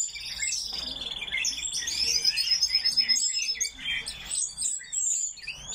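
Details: Coal tit (Parus ater) in an aviary giving thin, very high-pitched chirps and twitters, tumbling quickly over one another in a busy overlapping stream with no clear rhythm.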